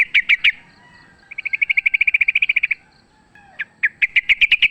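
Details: Sooty-headed bulbul singing in a fight, recorded wild and used as a lure: quick paired chips, a long even trill of about twenty rapid notes, then more bright repeated chirps.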